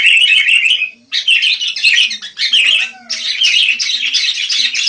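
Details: Wild sooty-headed bulbul, locally kutilang, delivering dense, buzzy chattering bursts with brief breaks and a soft sliding whistle in the middle.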